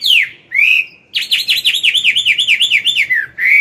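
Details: Chinese hwamei, a wild-caught older bird singing in the morning, used to train a young bird: a falling whistle, a rising slur, then a fast run of about twelve repeated V-shaped whistled notes, ending on a rising whistle.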